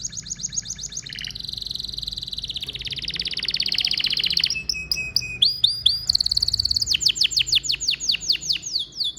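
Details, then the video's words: Domestic canary male in song: buzzy rolling trills, a long rapid warbling passage, short varied whistles, then a fast series of sharp descending notes. "Canary Singing birds sounds at its best | Super Melodies Canary Bird song"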